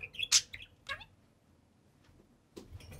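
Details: Two pet budgerigars playing atop their cage indoors: a burst of quick squeaky chirps and a sharp high note, a short rising chirp, then a pause before faint rustling and a soft chirp.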